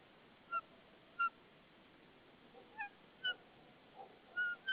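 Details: Nesting White-tailed eagle in Saunja, Estonia, 22 March 2013 at about 14:08, while the pair handles a stick; a loose series of short, yelping whistled notes, irregularly spaced and repeated about once a second.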